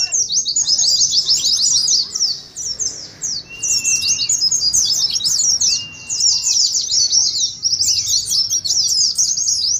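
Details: Oriental white-eyes in rapid ngeriwik twittering, used to stimulate singing and mimic a contest. Bursts of fast, very high chirps fill nearly ten seconds, with a brief lull around two to three seconds and a few faint short whistles.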